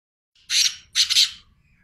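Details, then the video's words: Two loud, rasping black francolin notes, the second broken into a double pulse, harsh and broadband, with a faint low hum underneath. "teetar awaz | teetar voice | Black francoline teetar sound | Teetar ki awaz"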